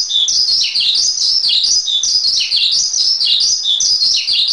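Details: Javan pied starling, master song for training songbirds: loud, shrill, continuous twittering with repeated downward-sliding whistled notes, bright and close.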